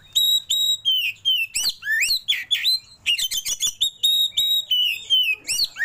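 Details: Oriental magpie-robin pouring out a lavish fill-in song with rolls. Pure, high whistles, each gently falling, alternate with swooping upslurred notes and a quick run of clicking chips, steady and loud throughout.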